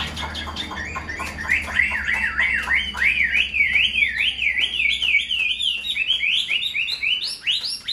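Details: Hand-tamed Chinese hwamei in its cage sings a long run of repeated up-and-down slurred whistles, zigzagging in even waves, climbing higher toward the end; low indoor hum behind.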